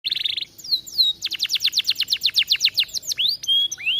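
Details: Atlantic canary singing vigorously, a song meant as a master for training: a short buzzy trill, then rising and falling sweeps, then a fast run of about twenty sharp downslurred notes, ending in whistled upslurs.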